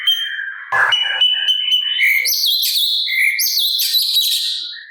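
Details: Active sooty-capped babbler song, recorded for training cage birds to copy: a sustained high whistle gives way to tumbling, sliding whistled notes in a continuous lively stream.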